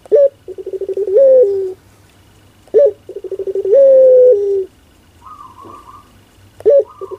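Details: Playful cooing of a pelung turtle dove indoors: a short rising note, a quick run of pulsed coos, then a long level coo, repeated about every three seconds, with a higher wavering note between phrases.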